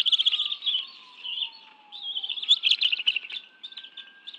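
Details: At the National Arboretum nest in Washington, D.C., bald eagles eat fish brought by both parents, June 2017: steady stream of high, thin chirps and chatters, slightly louder in the second half, with a low sliding siren tone behind.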